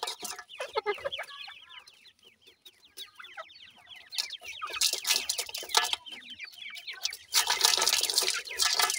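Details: Feeding grey francolin chicks, Sindhi type, give a steady stream of high, thin falling peeps from several birds, with harsh rustling noise building toward the end.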